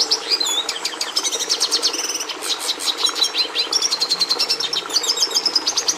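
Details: Rapid, high-pitched twittering song of a red siskin, packed with stuttering trills, short buzzes and sweet whistled slurs, delivered almost without a break.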